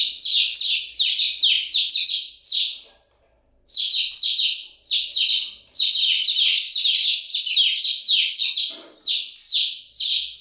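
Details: A flock of chicks keeps up continuous shrill chirping, overlapping quick downslurred peeps, broken by a near-silent gap around three seconds before the chorus resumes.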